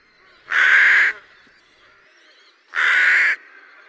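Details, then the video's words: Rook (Corvus frugilegus) giving two loud, harsh, drawn-out caws, each lasting over half a second and spaced about two seconds apart, with near silence between them. "Rook sound"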